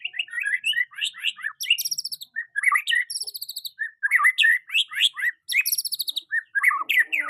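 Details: A young white-rumped shama in continuous vigorous song, used for tutoring other birds: dense, fast sequences of looping whistles, sharp upslurs and high metallic trills with barely a pause over seven seconds.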